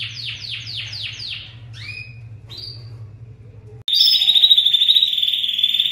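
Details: Singing canary: a series of quick descending whistled slurs, a few lower slurred notes, then a long, steady high trill, over a constant low hum.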